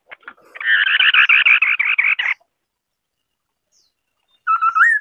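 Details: Singing White-browed scimitar babbler (Pomatorhinus schisticeps): a rapid run of about fifteen buzzy, chattering notes lasting under two seconds, then two seconds of silence, then a clear whistled note rising at the end.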